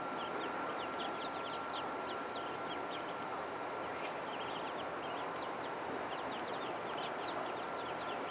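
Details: Baby ducks in a pond: scattered high, thin peeps sliding downward, coming in loose bursts, somewhat buried in a strong, even background rush.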